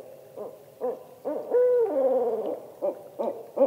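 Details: Ascending call of a barred owl, with spaced, arched hoots around one long drawn-out wavering note in the middle, then more short hoots following.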